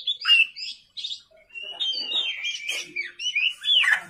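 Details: At night, an Oriental magpie-robin (kacer) in full gacor song, used as a lure recording, gives a few clipped chirps and then a long warbled stream of sliding whistles and scratchy twitters.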